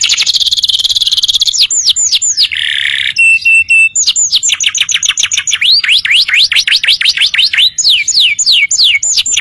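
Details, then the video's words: Canary tutor song for young birds: a dense high trill and slurred notes, a short harsh break, then strings of swooping rising-and-falling whistles. "audio masteran kenari"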